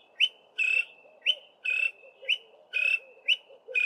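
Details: A male Greater Honeyguide sings from a bush-top song post in southern Africa, giving a high, whistled two-note 'vic-tor', a short note then a longer one, about once a second over a soft hum.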